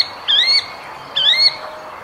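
A bird gives two bright, rising chirps with a harsh edge, about a second apart, over a quiet background.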